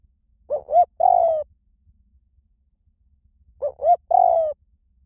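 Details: Spotted dove song in the high-pitched 'small voice' style, played to lure and train decoy doves to coo back: two short coos then a longer, slightly falling croo, the phrase given twice about three seconds apart against a quiet background.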